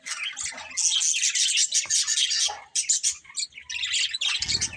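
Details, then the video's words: Budgies chirp and warble in a dense, raspy chatter, loudest in the middle, with a soft low thud near the end. "Cute Budgies Chirping Sounds"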